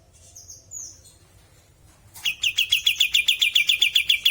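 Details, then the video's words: Bulbul singing energetically in natural sound: a thin, high whistle slides downward, a pause follows, then a fast, steady train of loud, clipped chirps runs to the end. "Burung kapas tembak gacor suara alami"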